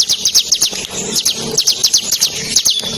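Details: Bar-winged prinia, known locally as ciblek, delivering a lively masteran tutor song for competition birds, with rapid high chirps and short buzzy trills in quick, uneven bursts.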